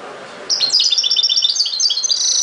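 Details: European goldfinch delivering ghoroub-style song: a continuous two-second stream of rapid, twittering high notes, bright and metallic, beginning abruptly after a brief faint murmur.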